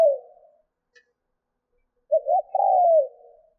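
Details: Spotted dove used as a decoy, cooing to excite wild birds: the fading end of a coo, a faint brief click, then a full phrase of two short notes and a long falling coo.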